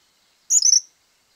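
Tropical Kingbird: a single quick burst of high, thin twittering notes lasting under half a second, sharp and tinkling, against a quiet background.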